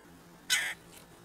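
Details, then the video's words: A single scratchy, buzzing call lasting about a quarter second from a red-breasted woodpecker, one of two at a squirrel feeder; soft hum in the background. "Two Red Breasted Woodpeckers at the squirrel feeder"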